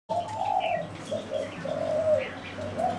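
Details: Zebra doves giving soft, warbling coos in short rolling phrases, repeated through the clip, with faint chirps of other small birds higher up and a low steady hum beneath.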